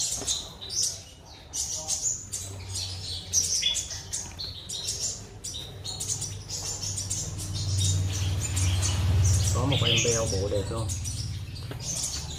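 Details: Caged black-throated sunbird singing in full, a dense run of high, quick twittering chirps, then a lower, steady background hum with brief voice-like sounds near the end.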